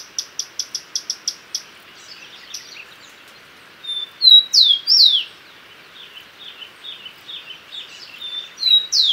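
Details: Common tody-flycatcher calling: a quick run of eight sharp, evenly spaced high ticks, then loud downslurred whistled notes and softer chips trailing off, ending with another bright slurred note.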